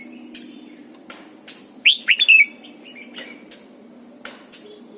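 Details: Caged decoy red-whiskered bulbul singing its morning song in the double-note mature wild style. One quick burst of four loud, looping whistled notes mid-clip, surrounded by sharp clicks, faint chirps and a low background hum.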